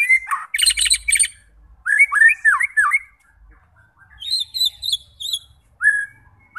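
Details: White-rumped shama singing to draw fighter birds into song: harsh scratchy bursts mixed with loud slurred whistles swooping up and down, pauses between phrases, then a run of high rapid chattering notes.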